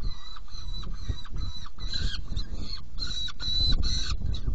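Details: Saker falcon calls at a nest box while feeding, 17 June 2018, 10:31: a continuous string of grating, nasal notes, each about a quarter second, repeated steadily over a constant low rumble.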